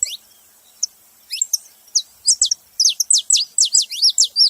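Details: Several saffron finches sing together: sharp high chirps and downward-sweeping notes, sparse at first and then quickening into a rapid run of steep slurred notes over the last two seconds.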